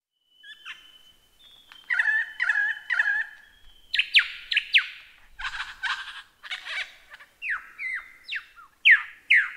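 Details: Lyrebird song: a long thin whistled note, then throaty buzzy phrases repeated three times, followed by loud descending whistled sweeps and sharp downslurred notes that grow louder toward the end.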